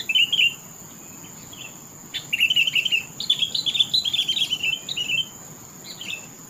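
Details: A Sooty-headed bulbul sings sweetly. A short bubbly chirped phrase comes first. After a pause of almost two seconds, a longer run of quick, warbled, chattering notes follows, rising slightly and then settling. A steady faint high tone runs throughout.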